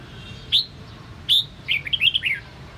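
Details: A Sông Kon red-whiskered bulbul in a voice-training recording gives two sharp, bright notes, then a quick, liquid, warbled phrase of rising and falling whistles. A quiet background hiss is heard.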